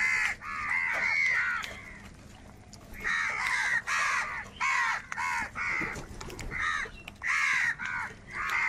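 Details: Crows in a large flock scrapping for food give loud throaty caws. Bursts run close together at first, then thin into shorter grouped calls with a quieter spell between.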